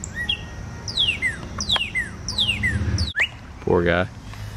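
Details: A male Northern Cardinal, flown into a yard in response to a cardinal call played from a computer, sings three loud, clear whistles slurring steeply downward, about one a second; a man speaks briefly near the end.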